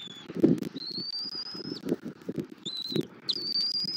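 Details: Bald eagle at a nest in Southwest Florida, recorded by a nest camera at 09:15 on 21 January 2024 as the adult brings a stick and feeds the chick: two long, thin, high whistles, level then slightly rising, over rustling and low wind noise.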